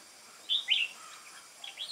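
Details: Caged Red-whiskered bulbul, wild-caught, singing duel-style on 22 October 2018. One loud, clear, slurred whistled phrase of two notes is followed by a softer rising whistle.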